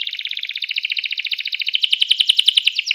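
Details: Canary song meant to spur other canaries into singing: a rapid, pulsing trill of buzzy high notes, repeated several times per second and growing louder toward the end.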